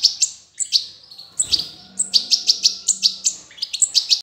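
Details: Juvenile European goldfinch freshly out of the nest, June 18 2020, giving a rapid, steady series of piercing high chirps, roughly three or four per second, with a brief soft low rumble behind.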